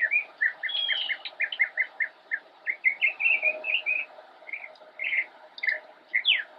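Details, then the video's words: From a bush in Cabarrus County, North Carolina, 10-10-2016, a young northern mockingbird opens with a rapid string of short repeated chips, then shifts to slower, varied whistles and a rising final note. "Northern Mockingbird - Singing from Bush"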